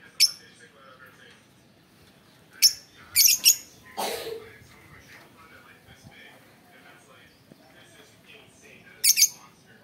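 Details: Lovebird calling with sharp, shrill squeaks spaced irregularly across the recording, including a quick cluster of three, one harsher and lower burst midway, and a final pair of piercing chirps, with low room noise.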